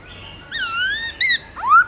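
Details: Forest-style song of a white-browed laughingthrush, loud and clear: one long drawn-out whistle dipping then rising, a short bright note, and a quickly rising final whistle.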